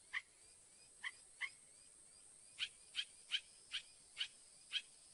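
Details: Northern mockingbird song with three lower chips at uneven spacing, then a switch to a higher, sharper note repeated six times at roughly half-second intervals.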